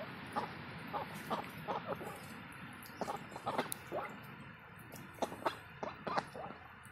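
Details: Indian Runner ducks active in the morning, giving short, low, harsh quacking calls in scattered bursts, some doubled, over faint background hiss.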